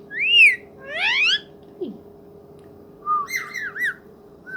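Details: Pet ringneck parrot, a talking bird, gives a loud arched whistle and a rising buzzy call, then after a pause a string of wavy, warbling whistled notes, over a steady hum.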